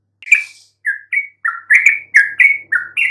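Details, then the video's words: Yellow-vented bulbul chirps for prompting mute bulbuls to respond: crisp, separate slurred notes, some rising and some dropping, about three per second, in clean silence. "coba sekali PANCING trucuk BISU MANAPUN pasti RESPON NYAUT dengan kicauan ini"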